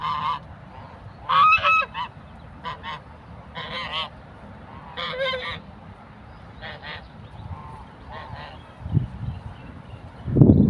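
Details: Angry African geese chasing people, with scattered harsh honks in short clusters, some fainter and more distant, against steady low rumbling and a few thumps near the end.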